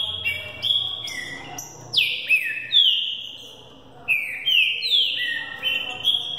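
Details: Young Green-winged saltator in training for the 2018 season sings the Thunder Truck style, over 20 songs a minute. Clear, strong whistles drop steeply then level off, in linked phrases with short pauses.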